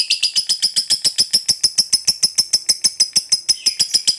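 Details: Long ngekek chatter of a lovebird, used as a lure to get other birds singing: evenly pulsed, high, rasping notes about three per second, unbroken throughout.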